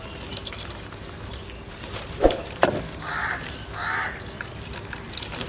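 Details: Crow calling, described as fighting, showing anger and calling for food; two harsh, drawn-out caws about a second apart over steady background noise with scattered clicks.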